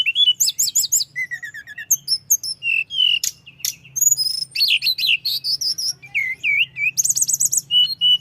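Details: Continuous rolling song of a mountain flowerpecker (tledekan gunung), used to raise rival birds' agitation: fast high trills, a string of lower repeated chips, sharp clicks and wavering whistled phrases throughout.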